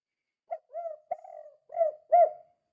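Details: Softer spotted dove phrase in the 'kuk 2' style, used to stir other doves: a clipped first note, a swelling coo, a long rolling burred note, then two rounder hollow coos.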